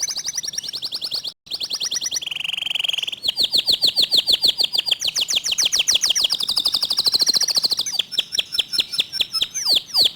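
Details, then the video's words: Local canary pouring out a rapid, dense, clear-voiced song: long rolling trills shifting in pitch, a brief harsh buzz, then fast repeated whistled notes rising and falling, with a brief dropout early on. "Kicau Kenari Lokal Tembakan speed rapat Suara Jernih"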